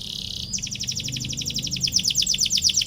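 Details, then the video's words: Canary pouring out a gacor song that provokes rivals to answer: a short buzzy note, then an even, very fast trill of repeated high notes running to the end. "KENARI GACOR PANJANG CUIT CUIT PANCING EMOSI LAWAN BIKIN NYAUT DAN GACOR |° CANARY SINGING"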